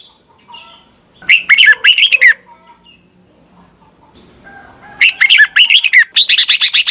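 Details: Red-whiskered bulbul from Thailand, a song played for caged birds to copy: two loud phrases of rapid, bubbling warbled notes, the second longer with evenly repeated chirps, separated by a quiet gap.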